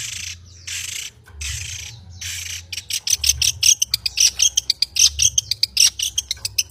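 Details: Long-tailed shrike in full song with showy mimicry fill-ins (isian): a few long, hissing, scratchy high bursts, then a rapid run of sharp clicking notes, roughly four per second, to the end. Faint low hum throughout.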